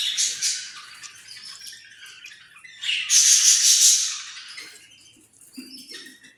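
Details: Australian parrot giving rattly, buzzy squawks, with a loud shrill burst around the middle. This is followed by quieter scattered chirps and a soft low note near the end.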